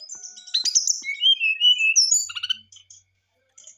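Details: Brown-chested jungle flycatcher in excited song, played to provoke other birds into answering. It gives a tangle of high twittering notes, then descending whistled phrases and a short burst of chirps, followed by near silence.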